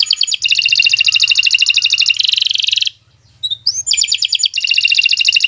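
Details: Canary in extended song intended as a tutor for other birds: long rapid trills of repeated notes, a brief buzzy segment, a pause with a single rising whistle, then trilling resumes.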